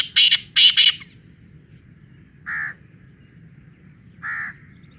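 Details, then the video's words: Black francolin calling loudly: three harsh, grating bursts in quick succession, followed by two short, hoarse, lower notes about two seconds apart, over a steady low background hum. "kala Teetar ki awaz black francolin loud voice"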